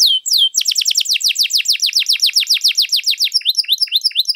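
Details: Canary singing steadily in the long, rich 'gacor panjang lagu mewah' style, used to prompt and tutor other canaries. It opens with a falling whistle, then a fast trill of about seven descending sweeps per second, and ends in choppier high notes.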